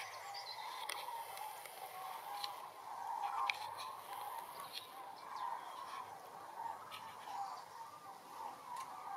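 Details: A distant flock of common cranes migrating south over Essen, Germany, on 24 October 2021, gives a steady chorus of overlapping rolling, trumpeting calls, with faint clicks and light background noise.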